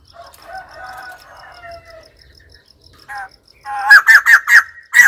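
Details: White-crested laughingthrush: soft, low, whistled warbling at first, a brief quiet pause, then five loud, harsh cackling notes in rapid succession at the close.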